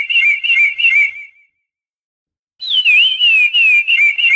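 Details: Song of a curió (chestnut-bellied seed finch): pulsed whistled notes trailing off, a pause of about a second, then a bright descending whistle leading into rhythmic warbling.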